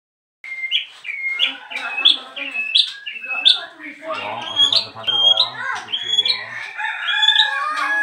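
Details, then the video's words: Newly arrived caged bird singing nonstop as soon as its cage cover is opened: a busy, varied run of sharp rising chirps and buzzy notes, shifting into warbled, chattering phrases near the end. "BARU datang buka KERODONG langsung NYEROCOSS gak bisa diem"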